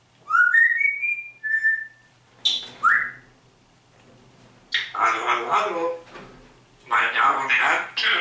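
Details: Grey parrot kept at home, known for talking and singing, gives a run of rising whistled notes climbing in steps, a swooping whistle, then two bursts of harsh, voice-like mimicked speech. Quiet room, nothing else heard.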